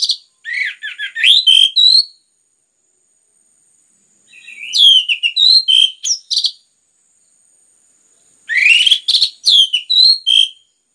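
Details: Kept orange-headed thrush singing a lure song to set other birds singing: three bursts of fast, varied, warbled phrases mixing slurred whistles and sharp high notes, separated by pauses of about two seconds.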